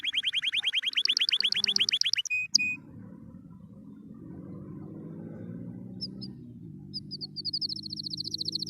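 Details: A happily singing canary gives a fast repeated trill, a couple of short sharp notes, then after a pause scattered chirps building into another quick trill, with a low hum behind.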